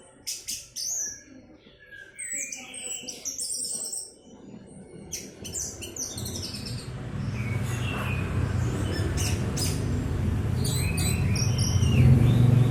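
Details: Orange-headed thrush giving bursts of clear, varied whistled phrases and quick chirps over the first half, fading as a steady low hum and noise rise, with a few softer phrases later.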